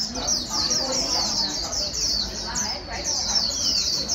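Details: Fast high-pitched twittering warble of a white-eye, played to a newly caught bird so it learns quick líu song; notes tumble rapidly without pause, with faint lower chirps.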